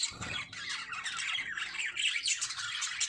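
Lovebirds chatter nonstop in shrill, squeaky chirps and harsh squawks that overlap rapidly, as from several birds calling at once.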